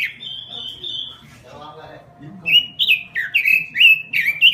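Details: Gacor robin song: a long, level high whistle and soft murmuring, then a burst of loud, crisp downward-slurred whistles repeated several times a second.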